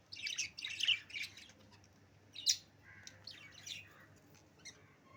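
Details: Morning chatter of kept budgerigars, with harsh chirps and squawky notes clustered in the first second, a sharp squeak at two and a half seconds, then softer warbling twitters fading out.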